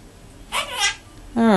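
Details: A 5-year-old male green monk (Quaker) parakeet mumbles to himself, a couple of breathy, speech-like syllables, then a steady, nasal voiced tone.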